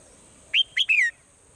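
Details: One swallow phrase at dawn: three chirps in quick succession, the final one longest and sliding downward, bright and whistled, with a steady hiss behind.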